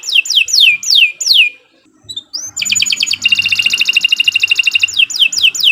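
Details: Canary song played to encourage other canaries to sing: loud, falling whistled slurs repeated about every third of a second, a brief pause, then a long rapid trill and more slurs.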